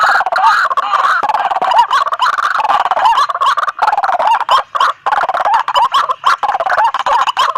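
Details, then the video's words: A lure recording of noisy White-breasted waterhens, meant to bring waterhens toward the sound. A continuous harsh, gobbling chorus of overlapping croaks holds loud throughout, with brief dips around five seconds. "Suara pikat ampuh burung Ruak-ruak berisik"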